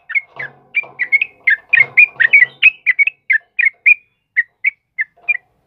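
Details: Lively sooty-headed bulbul, offered as a master and lure for cage birds, gives rapid bubbly whistled notes that thin out into spaced single phrases, with a low rumbling chatter underneath early on.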